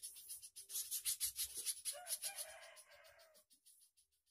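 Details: Spiderhunter singing nonstop and energetically, a long recording intended as master audio for training songbirds such as white-rumped shama, greater green leafbird and lovebirds: a fast run of very high, thin, sharp notes, about three per second, fading out toward the end.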